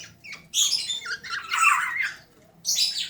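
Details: Black-naped oriole (golden oriole) giving ngeriwik trotolan chatter, used to stimulate other birds to join in: harsh, raspy, noisy bursts, with a gap before a final burst.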